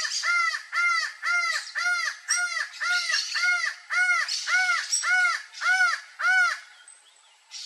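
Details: Laughing falcon, known locally as acauã, giving a steady series of about eleven loud, arched, nasal notes roughly two per second, fading out at the end, with fainter higher chattering behind.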